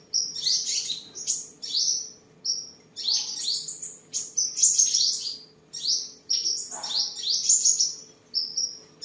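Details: Sunbird kept as a tame cage bird in Tân Phú, Vietnam, 23 July 2022, sings while displaying and fighting: short, high, wiry phrases with sliding notes, repeated about every three seconds with brief gaps.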